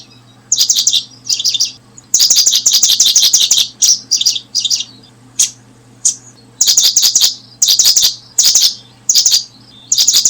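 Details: Paddyfield pipit while brooding: a lively series of high, clipped chirps in bursts, some long rapid runs, others short doublets, over ten seconds; faint continuous hum.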